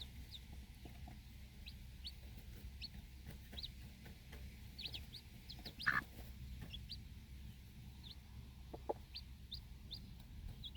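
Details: Four baby chicks feeding outdoors beside their watchful mother hen in a backyard flock; frequent quick high peeps, each sliding downward, spread through the stretch, one louder knock midway, constant low hum.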